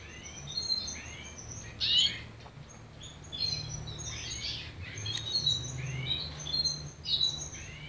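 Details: Young mixed-breed canary starting to sing: soft, broken high chirps and short downward-sweeping notes in irregular bursts, with a few sharper peeps, over a faint background hum.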